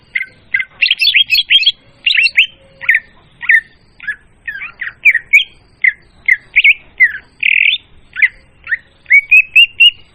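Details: Leafbird lure recording for drawing in birds, clear and loud: a dense, continuous stream of quick chattering and whistled notes, varied in shape, with one rough buzzy note and a rising whistle at the end.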